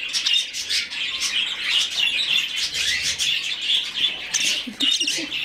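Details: Hand-fed budgerigar chick begging: a steady stream of high, scratchy chirps and squeaks in quick pulses, with a few faint low knocks near the end.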